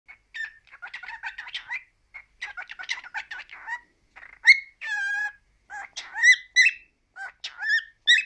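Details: Male cockatiel, three years old, kept as a pet, chattering in quick bursts of warbled, chirpy syllables with several clear rising whistles and squeaky notes near the end.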